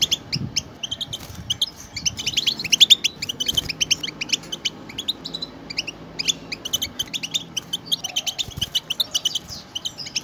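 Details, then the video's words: Many European goldfinches in chorus, a group song meant to prompt pet goldfinches into singing; long stretch of busy overlapping twitters, chips and buzzy trills from several birds at once. "مجموعة من الحسون مع بتبتات تحفيزية"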